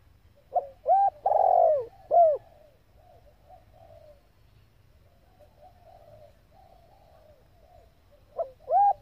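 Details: Vietnamese female spotted dove used to excite males: a quick run of hooting coos with a long sagging middle note, then several seconds of faint murmuring before two more short arched coos at the end.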